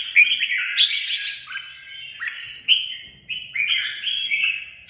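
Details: Red-whiskered bulbul song: continuous run of mellow, slurred whistled notes, each phrase sliding downward then restarting, steady and loud throughout with faint low noise beneath.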